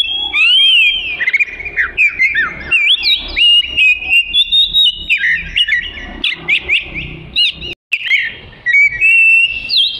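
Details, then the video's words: Melodious song of the Oriental magpie-robin, a long-tailed black-and-white songbird, offered as training material: fast, varied whistled phrases and chattering notes delivered in choppy bursts, one brief dropout near the end. "Burung Kacer Merdu Untuk Isian"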